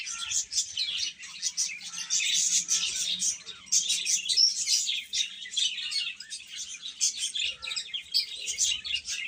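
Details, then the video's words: A flock of chicks keeps up a dense, high-pitched chirping, many short piercing tweets blending into an even, restless chorus throughout. "Cute Chicks Chirping Sounds"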